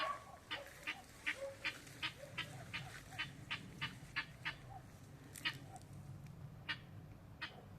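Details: Helmeted guineafowl at 14 weeks old give a steady string of harsh, clipped calls, several each second, over a low hum.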